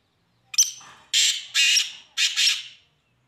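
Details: Black francolin (Francolinus francolinus), a slow-paced bird, giving a harsh, grating call: a short sharp opening note followed by three loud, rasping bursts about half a second apart.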